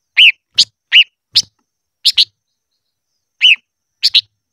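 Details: Silver-eared mesia singing, described as voice training: wavering whistled notes trade off with sharp high chips, in two quick bursts split by a pause of over a second.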